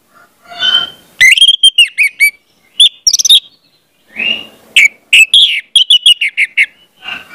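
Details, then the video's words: Orange-headed thrush song to train speckled juveniles: rich bursts of quick whistled and chirped notes, some slurred downward, in phrases broken by short pauses. "pancingan anis merah, trotol dengarkan ini pasti jadi calon gacor"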